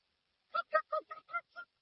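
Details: Dusky-legged guan uttering a short string of six hoarse, honking notes of uneven loudness, the last one fading.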